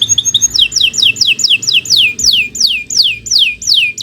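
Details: Kenari Nusantara canary training song: a brief high chatter, then loud downward-sweeping whistled notes repeated about three times a second, clear and steady.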